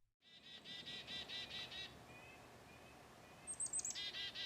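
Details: Black-capped Chickadee in Ohio giving its husky, slow-tempo calls: a fast series of buzzy dee notes, then a few high thin notes and another burst of raspy dees.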